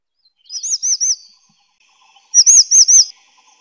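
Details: Two quick phrases from a grey-chinned minivet, each a run of three or four high, sweet arched whistles delivered rapidly, the second louder than the first.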